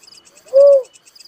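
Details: Single mellow cooing note of a Little cuckoo-dove, locally tekukur merah or uncal, arched in pitch and lasting under half a second, set against a light rhythmic insect chirping.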